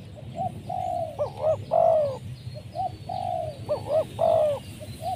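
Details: Spotted dove used as a lure for wild doves, giving two full phrases: a soft short note, a long level coo, two bouncing notes, then a strong falling coo, with a low background hum.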